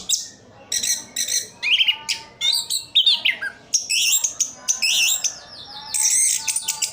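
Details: Orange-headed thrush in captivity, Sidoarjo, East Java, delivering a varied song of short bursts: buzzy trills, clear rising whistles and chirps separated by brief pauses.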